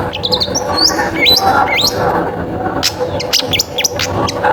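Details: Lure song of a long-tailed shrike, played to set other shrikes singing: bright rising whistled sweeps, then scratchy quick notes and a few clicks, about four notes per second, against a continuous low background layer with music.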